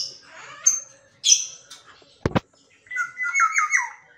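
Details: A caged Black-naped Oriole kept at home gives scratchy high squawks, then two sharp clicks, then a mellow whistled phrase of linked, wavering notes sliding downward.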